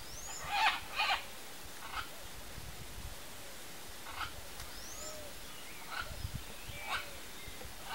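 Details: A pair of red-and-green macaws in their natural habitat, feeding on macaúba palm fruit, give short, harsh, raspy squawks at uneven intervals; thin rising whistles from other birds and a low background rumble.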